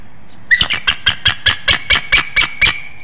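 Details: Bald eagle pair at a nest in Hanover, Pennsylvania, early morning of 13 March 2019, calling in a vocal exchange while the female incubates eggs: a rapid string of about eleven sharp, squeaky chittering notes, evenly spaced.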